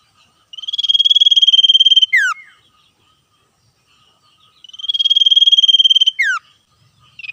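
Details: Wild male common iora singing vigorous trills and calling back and forth with wild birds. The same phrase comes twice, about four seconds apart: a steady high rapid trill ending in a sharp downward slur.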